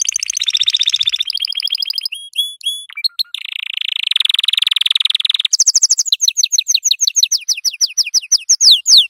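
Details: Yellow canary tutor song for young canaries: rolling trills, paired whistled notes, a long rasping trill, then a run of steep descending whistled strokes repeated about three a second.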